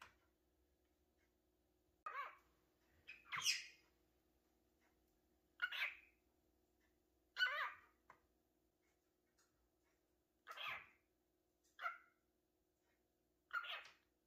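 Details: Cockatiel (Nymphicus hollandicus), contact call: calling out to a companion bird.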